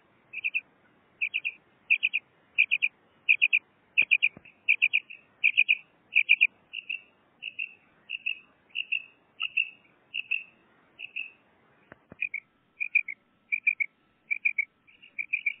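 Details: Pet female common quail song: a long, even run of short, high, doubled and tripled chirps, roughly one group every seventy hundredths of a second, with faint clicks in the background.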